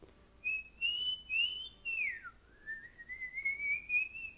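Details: Pet cockatiel, a male that loved to sing and dance, whistling indoors: long clear whistled notes rising and sliding, a swoop down then a slow climb back up, steady and tuneful.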